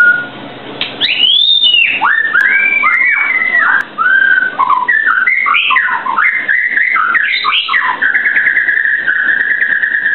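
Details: White-rumped shama in full song: a rich, fast run of varied whistled notes that swoop, arch and warble. A short pause comes near four seconds, and the run ends on a held, slightly trilled whistle.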